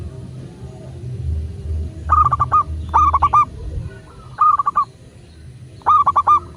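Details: Local zebra dove cooing steadily, a lure for other doves to sing: four phrases of quick pulsed notes ending in a short trill, spaced about a second or more apart, over a rumbling low background.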